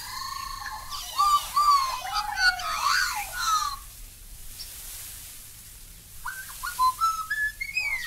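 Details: Black-backed Magpie in Australia: rich warbling and yodelling phrases, some notes dipping and some rising, with a bubbling mix in the middle. A quieter stretch follows, then a fresh series of short fluted notes that climbs upward.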